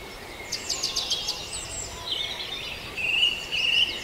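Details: Dawn birdsong at Farndale: a quick series of sharp, high descending notes, then softer warbling and a steady thin whistled tone from other singers.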